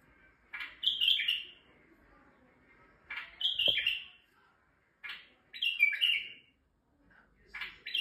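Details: A male white-eared bulbul in Turkey sings to excite females, producing loud rich whistled phrases about every two to three seconds, each a quick burst followed by a warbling flourish, with quiet gaps between.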